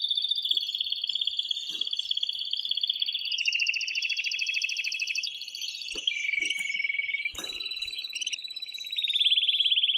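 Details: Excited male canary in continuous loud song meant to stimulate the female for mating: long sustained rapid trills held at high pitch, shifting between rolling tours, with brief sharp clicks and a dip to a lower trill.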